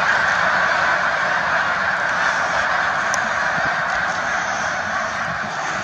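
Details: Snow geese in flight: a dense, continuous wash of overlapping honking calls from a large flock, steady in loudness throughout, with no single voice standing clearly apart.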